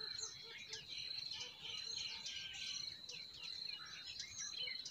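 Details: Several forest birds twitter busily in spring, dense overlapping high chirps and short warbled notes, with a continuous piercing insect drone behind them.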